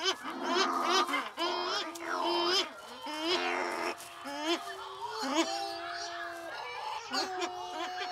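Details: Cory's shearwaters at night on the Lavezzi islands, where they court and mate in burrows under rocks, wail in ghostly, overlapping, nasal, babylike cries that rise and fall, many birds calling at once in a raucous chorus.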